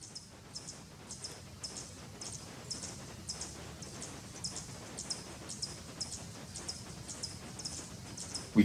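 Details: Broad-tailed hummingbird, from a non-migratory disjunct population in a cloud-forest clearing on Tacaná Volcano, Chiapas, its wings making a high metallic buzz in short bursts about twice a second, like a tiny engine, over low rumble.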